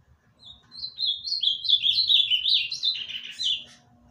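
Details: A captive ultramarine grosbeak from Olinda, Pernambuco, Brazil, sings a rich, warbled phrase of quick slurred notes, rising and falling for about three seconds, with a faint low background hum.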